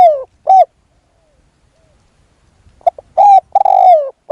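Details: Spotted dove decoy luring a wild dove: a falling coo and a short note, a pause, then a phrase of clipped coos closing with a long, gently descending coo.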